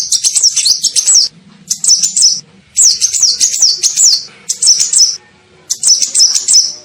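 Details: Kolibri ninja sunbird lure call for attracting birds: bursts of rapid, high, thin twittering notes rising and falling in quick wavy runs, five phrases separated by short pauses.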